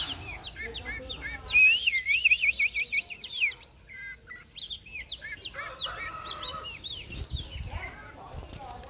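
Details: Red-whiskered bulbul, a wild-type forest-voiced singer, in a 2023 song contest: loud, rapid run of slurred whistled notes, rising and falling, about two per second, with a softer steady note and chatter behind.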